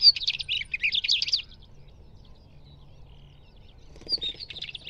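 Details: Northern wheatear singing a fast, jumbled, grating warble mixing harsh rattles and thin whistles, a pause over low background rumble, then another scratchy phrase begins.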